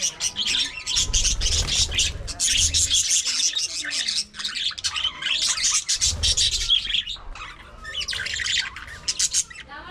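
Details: Budgerigars kept in an aviary colony, described as talking: dense, continuous high chirping and warbling chatter from several birds, with brief gaps, plus low thumping bursts near the start and middle.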